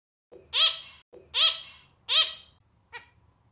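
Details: Male zebra finch producing three strong, reedy, nasal calls spaced evenly under a second apart, each preceded by a faint tick, then one short weaker note.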